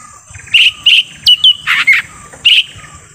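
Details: Forest recording of a lesser green leafbird lure call meant to draw in wild birds: short scratchy chirps, a couple of sweeping whistled notes and rasping bursts, spaced about every third of a second.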